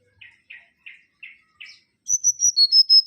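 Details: Mangrove whistler song: five evenly spaced husky chirps about every third of a second, followed by a strong string of pure, high whistled notes.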